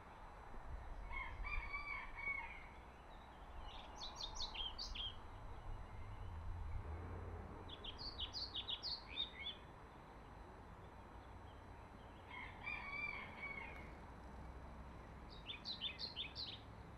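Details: A singing male European pied flycatcher, recorded 12 May 2024 at Middelaar, the Netherlands, gives short, bright phrases of high sweet notes, repeated every few seconds.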